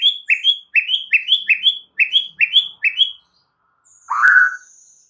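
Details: White-rumped shama song for prompting other birds to sing: a series of paired rising whistles repeated quickly, a pause, then a single harsh sharp burst with a click.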